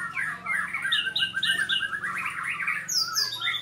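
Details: White-rumped shama in a training and sparring session gives a fast run of repeated whistled and chattering notes, ending with high sweeping whistles, over a low background hum.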